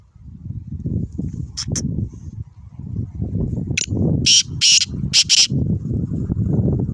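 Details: A black francolin recorded on 22 April 2021. It calls in harsh, rasping bursts, several in quick succession toward the end. A heavy low rumble of wind or handling noise runs throughout.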